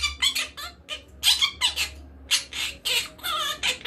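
A monk parakeet gives harsh, grating squawks and chattering notes in quick uneven bursts, roughly one a second, over a low indoor hum.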